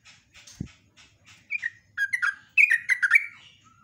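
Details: Yellow-vented bulbul rolling lure song on a live morning recording: a knock, then short slurred notes building into a quicker bubbly run of descending chirps, ending on a soft whistle.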